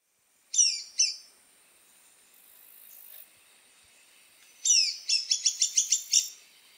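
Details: Zoo woodpecker gives two sharp, high calls, then after a pause another call followed by a quick run of about seven bright, clipped notes.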